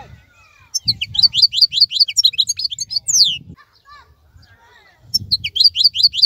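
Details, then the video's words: Singing European goldfinch of the 'khalawi' wild type, active and in bright plumage during moulting time; sharp high chattering twitters in two bursts over a low rumbling background noise. "تغريد افضل من كل تغاريد طائر الحسون الخلوي"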